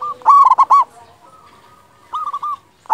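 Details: Zebra dove song played as a lure to excite doves: a burst of quick, stuttering rolling coos, a pause, then a softer similar phrase and the start of another.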